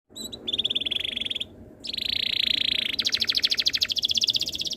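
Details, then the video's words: Canary tutor song meant to make other canaries sing along: a short buzzy trill, then a sustained whirring roll, ending in a fast rattling series of high pulses. "MASTERAN BURUNG KENARI ABAD INI - BIKIN KENARI LAIN IKUT BUNYI"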